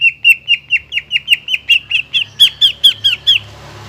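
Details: Greater green leafbird song for reviving a bird that no longer sings: a steady string of about fifteen bright, down-slurred chirps, roughly four per second, then a soft hiss.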